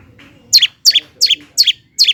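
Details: Long-tailed shrike (cendet) singing to goad lazy birds: five rasping double-peaked high chirps in quick succession, roughly every third of a second.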